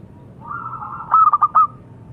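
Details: Brief song of a local zebra dove: a soft lead-in coo followed by four quick, mellow, clipped notes.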